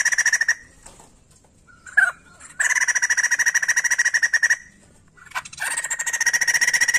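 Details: A white-crested laughingthrush, recorded as a lure to stimulate other laughingthrushes to sing, gives long bursts of fast, rattling, pulsed notes, several per second, with a brief squeaky note between bursts.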